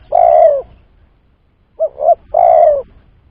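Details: Spotted dove giving a lure call used in bird trapping: a long mellow falling coo, a pause, then two short clipped coos and another long drawn coo, all low and soft over a quiet rumbling background.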